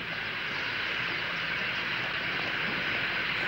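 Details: Broad rushing roar like a passing train, with no animal sounds.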